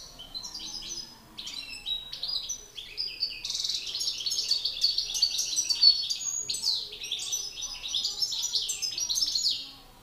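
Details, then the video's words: Two male European goldfinches in a singing contest, a master singer against an excited bird: rapid twittering, tinkling song of high buzzy and liquid notes, continuous jumbled phrases with brief pauses, growing denser and louder midway. "Battle de chardonnerets"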